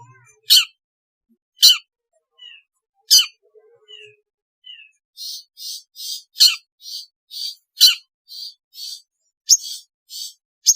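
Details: Long-tailed shrike sound, played as therapy to get a reluctant shrike singing: loud harsh rasping notes about every 1.5 seconds, a few faint thin whistles, then a fast run of buzzy repeated chips.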